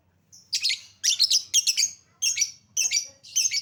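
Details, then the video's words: Lovebird lure meant to trigger singing: six loud, harsh, chattering bursts repeated roughly twice a second, each a raspy cluster of high squeaky notes, with faint low hum behind. "Lovebird Susah bunyi Pancing Dengan Suara pancingan Lovebird ini"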